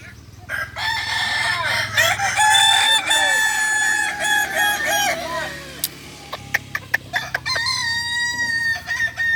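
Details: Kukuak balenggek chicken crowing at the final of a practice contest in Ampang Kualo, Kota Solok, on 8 September 2024; a long, bright, multi-voiced crow fills the first half, then sharp clicks and a shorter crow near the end.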